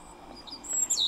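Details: A European robin sings a brief territorial song fragment, telling other robins to keep away: thin, high, tinkling whistles ending in a quick falling slur, over faint background hiss.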